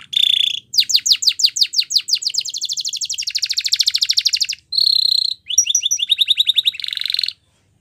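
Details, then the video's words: Canary singing a Spanish Timbrado training song: rapid trills of sharply falling, high whistled notes, a fast metallic rattle, then a bell-like held tone and further quick trills, all high-pitched. "Your Canary Will Sing Immediately"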